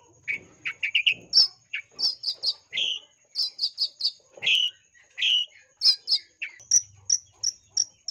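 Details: Long-tailed shrike singing busily with a varied, mimicry-filled lure song: quick runs of chirps, some lower rasping notes, then a steady series of thin high piping notes near the end, with a faint constant high tone behind.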